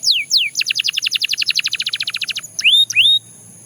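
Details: Belgian canary song with two falling whistles, a quick series of about twenty buzzy descending notes, then two loud rising slurred whistles.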